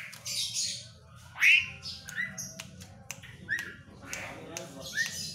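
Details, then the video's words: Asian pied starling giving a loud rising whistle followed by repeated short upslurred notes and scratchy squawks, with clicks scattered throughout and a low background hum. "Jalak suren"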